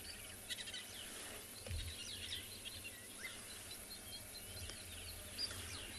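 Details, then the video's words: Red-billed buffalo weavers at sunrise on 24 June 2024 give busy, scratchy chirps and squeaky notes, calling to each other, likely chatting about their large multi-chambered nest above them; low background rumble. "You can hear the red-billed buffalo weavers."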